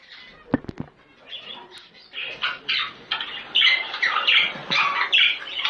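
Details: Budgerigar chatter meant to encourage breeding: a few sharp clicks and soft sounds at first, then rising bursts of scratchy warbling and bright chirps that grow louder and denser toward the end.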